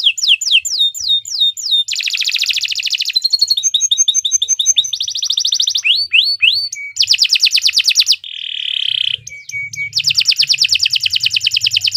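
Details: Canary song used as a master recording for training birds: loud, rapid canary phrases switching between rolling trills, repeated chips and sweeping whistled slurs, each run lasting about a second, continuous and dense.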